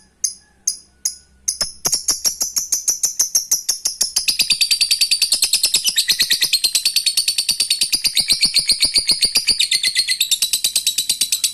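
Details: Fighter lovebird starts with three spaced squawks, then launches into its long ngekek trill, a rapid, piercing rattle that speeds up and thickens, meant to draw other lovebirds into singing.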